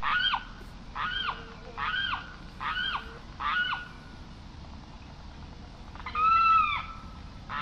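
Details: Carrao, the Limpkin, delivering a quick run of five short arched wails, then a pause and one longer, stronger ringing cry.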